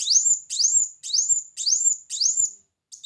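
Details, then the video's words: Brown-throated sunbird song used as a bird lure: five bright, upward-sweeping whistles, each half a second apart, high-pitched and evenly spaced with clean silence between. "Pancingan Bunyi Kolibri Muncang"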